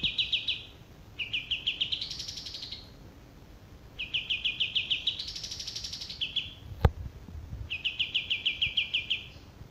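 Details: A male olive-winged bulbul sings a series of fast, pulsed high trills that rise into higher arches and fall back. A single sharp knock sounds midway.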